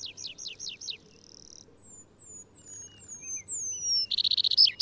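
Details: Atlantic canary song: a few quick descending whistled notes, then a thin steady trill, a run of high drawn-out whistles sliding down, ending in a loud buzzy rapid trill.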